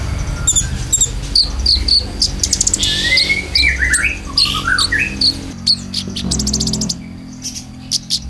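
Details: Konin lure song with filler phrases, played for caged birds: sliding whistled notes falling and rising over chirps, with sharp broadband clicks and ticks throughout and a low hum underneath.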